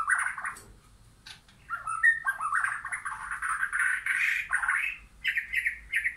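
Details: White-rumped shama in a backyard forest, where both wild and caged birds are present: a rich, varied warble of mid-pitched whistles and chattering trills, rising and falling, with faint high notes above.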